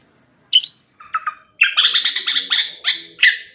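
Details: Song of a sooty-headed bulbul, likely a caged bird, for bird-song training: a sharp high note, two soft chirps, then a quick rattling burst of harsh chattering notes followed by two separate rich calls.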